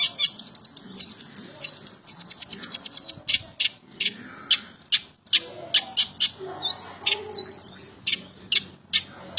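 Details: Long-tailed shrike giving old-style 'materi jadul' song material: rapid bursts of sharp, high repeated notes, a fast ticking trill, then spaced clicks and short upswept whistles.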